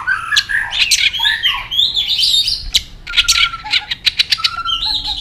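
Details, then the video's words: White-rumped shama in an aggressive singing match: crowded, varied phrases of scratchy notes, clicks and short whistles in quick succession. "chòe lửa hót nhấp đuôi tốc độ. kích chòe lửa hót đấu ức chế. chòe lửa nhạy mỏ"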